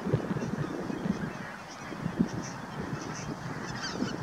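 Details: Bar-headed goose recorded at Naardermeer in the Netherlands, 9 March 2021; clipped low honks sound every second or so over the steady babble of many waterfowl, with soft distant high-pitched bird calls.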